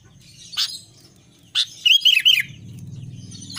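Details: Albino sooty-headed bulbul in lively song: one brief phrase of three or four fluid, wavering whistled notes, preceded by two sharp clicks, over a steady low hum.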